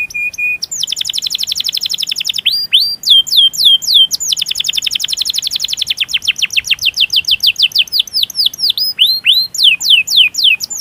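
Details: Canary song with a long roll, played as a training or stimulating master for lazy canaries and to call rivals: rapid trilled rolls of high notes, then repeated downward-sweeping whistles and fast chirping phrases, continuous and loud, no other sounds.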